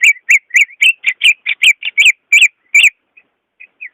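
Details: Caged greater green leafbird singing, used to coax a bird slow to sing: loud rapid run of rich whistled notes about three per second, then a pause and a few soft notes.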